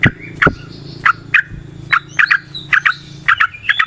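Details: Yellow-vented bulbul song from a natural setting, used to stimulate birds: bright short chirps, often doubled, at an uneven pace, with faint high whistles and low knocks behind.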